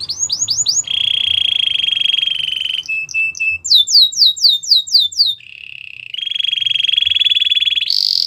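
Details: Belgian canary singing for training young canaries: quick downslurred whistles, long even rolled trills, a run of sharp repeated notes, then further sustained trills and a high final burst.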